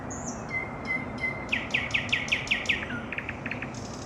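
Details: Evening nightingale song with long level whistles and a thin high note, then a loud phrase of about eight rapid repeated strident notes, followed by softer clicks and a high buzz.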